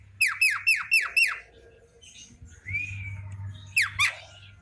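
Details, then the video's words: Afternoon Javan myna giving five sharp falling whistled notes in quick succession, then a soft arched whistle and two abrupt sliding calls. "Burung jalak kerbau di sore hari||suara jalak kebo full"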